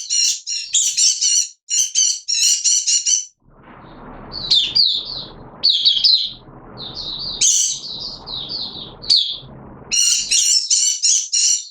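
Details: Hobby-kept oriental white-eye singing in wet weather on 6 September 2022: it opens with harsh buzzy rasping bursts, then shifts to high sweet chirped phrases over a steady low background hiss.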